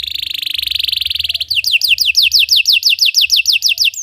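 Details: Belgian canary song meant to train other canaries: a rapid buzzy trill that switches to a steady series of bright, descending slurred notes repeated about three times per second.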